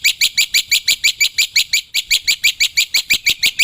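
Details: Black-winged myna said to be calling in the wild, used as a lure: fast, even series of sharp, ringing chirps, about three per second, bright and high.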